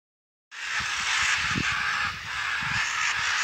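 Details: Scarlet macaws in Costa Rica give harsh, grating, raucous squawks that run together into a continuous loud screech for about three seconds.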